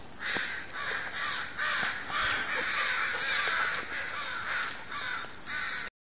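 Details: Many crows perched in a tree produce steady, raucous cawing, with several birds overlapping before the sound stops abruptly.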